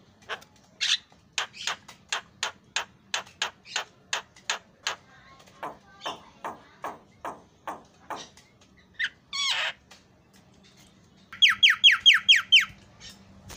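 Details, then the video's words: Javan myna singing isian (filler) song: a long series of short, evenly spaced, rising notes at just over two per second, one drawn-out harsh rasp, then a fast burst of six loud, shrill, sweeping notes. "suara bedug takbiran jalak kebo suara isian"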